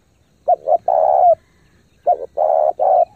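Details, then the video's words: Rapid spotted dove cooing meant to excite decoys and train young birds; two phrases, each a pair of quick short coos leading into a long, steady, throaty coo, against near silence. "chim cu gáy thúc gù tốc độ căng lửa kích mồi tập bổi cực mạnh"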